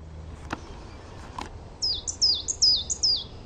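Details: Coal tit singing in a garden: after a few faint clicks, a quick run of high, bright two-part notes, each sliding sharply downward, repeated rapidly about six times.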